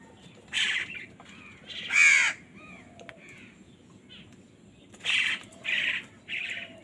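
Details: Crows squabbling loudly over food: scattered harsh caws, one strong rasping call near the middle and a burst of three quick caws toward the end, with fainter chatter between.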